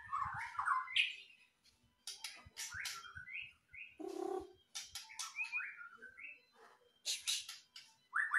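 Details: White-rumped shama in energetic song, mixing fluty whistled phrases with sharp scratchy bursts and a harsher rasping note around four seconds, delivered in irregular bursts separated by short silences.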